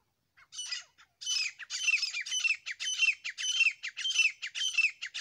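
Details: A pair of grey francolins, known locally as desi teetar, gives loud, harsh, ringing call notes repeated in quick succession, nearly two per second, after a short hesitant start, against a quiet background.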